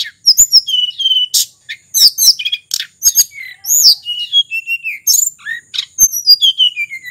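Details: Sulingan, a local bird of Mount Merapi, singing energetically with varied volume: a continuous stream of high, sweet whistles, falling slurs, sharp chips and brief rattles tumbling one after another without a break.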